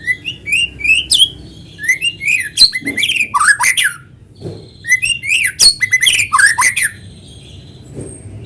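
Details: White-rumped shama song used to lure other shamas into song: energetic phrases of quick rising whistles, sharp clicks and squeaky downslurs, delivered in two long bursts with a short gap between.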